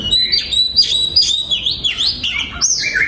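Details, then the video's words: Singing oriental magpie-robin in a breeding aviary, pouring out clear whistles and rising, slurred notes in a quick, varied stream. "Giọng Chim Choè Than Hót"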